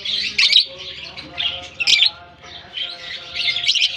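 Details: Lovebirds let out into a colony in Germany, summer season: a constant high-pitched flock babble punctuated by irregular loud squawky chirps, briefly quieter just past the midpoint.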